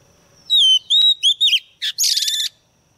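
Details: Lure female white-rumped shama singing to provoke males, with a run of pure slurred whistles followed by a sharp rasping note and a fast chattering trill lasting half a second.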